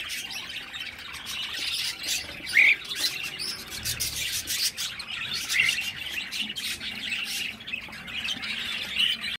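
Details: Cockatiel baby calling with a long stream of breathy, rasping chirps, broken by three short bright squeaks spaced a few seconds apart.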